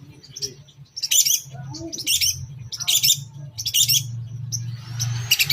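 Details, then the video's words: Long-tailed shrike singing a lure song, toet toet style with fill phrases, aimed at other shrikes: scratchy, noisy high bursts about once a second over a steady low hum. "KICAU Pancingan CENDET toet toet sambung isian Mewah Bikin cendet Lain bongkar isian!!!"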